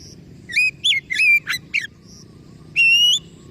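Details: Oriental magpie-robin giving a string of short, slurred whistled notes, then one long, clear whistle that rises gently at the end. Low background noise throughout.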